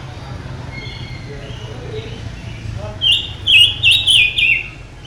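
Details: Silver-eared mesia with a mutation delivering a tense, vigorous phrase: a quick run of four or five loud, rich warbling whistles after some softer twitters, with low hum in the background.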